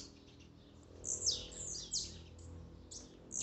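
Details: Blue-black grassquit (tiziu) singing, played to rouse a kept bird: a few sharp, high, buzzy notes sweeping steeply downward, spaced under a second apart, over a steady low indoor hum.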